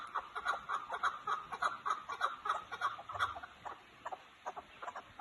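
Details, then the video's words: Chukar partridge of Kazakhstan calling in a rhythmic chain of rough chuck notes, about two each second, strong and even at first, then slightly weaker and more spaced toward the end, with a faint low hum beneath. "Кабки Казокистон"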